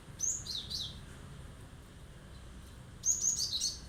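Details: Sharp, piercing song bursts from a Cinereous tit singing to rile up listening birds: a short cluster of high squeaky notes, a pause of two seconds, then a second tumbling burst, with faint low rumble behind.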